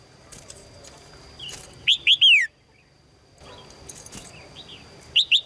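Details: A female red-whiskered bulbul calls to attract a strong male with a loud trio of falling, whistled chirps, then a softer start of another phrase; faint distant chirps in between.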